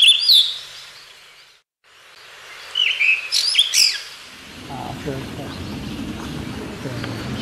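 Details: Blue rock thrush (Monticola solitarius) of a pair at Osaka Castle Park, 10 May 2015, giving short, high chirping and whistled notes in two brief bursts, followed by a low background rumble and faint murmuring.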